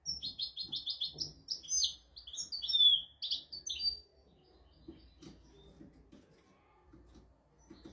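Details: European goldfinch singing a royal-style tutor song used to teach goldfinches and canaries: rapid twittering, trilled high notes and quick chirps for about four seconds, then near silence with faint low knocks.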